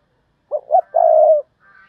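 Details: Decoy spotted dove giving its 'thúc bổi' luring call for wild doves: two short deep coos followed by a drawn-out one, then a faint higher bird note afterward.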